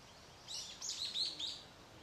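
Dark-sided Flycatcher giving a quick run of four or five thin, very high notes in just over a second, over a faint outdoor hiss.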